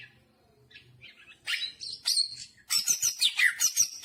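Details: Greater green leafbird singing with jamtrok-style fill-ins: after a quiet start with low hum, loud buzzy chattering bursts and high squeaky whistled notes come in rapid, dense succession.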